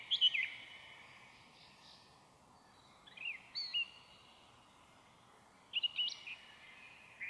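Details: Song thrush singing in a forest near Zarechny between seven and eight in the evening on 1 May 2023, captured on an audio recorder: short, bright whistled phrases separated by pauses of a few seconds, over a faint steady hiss.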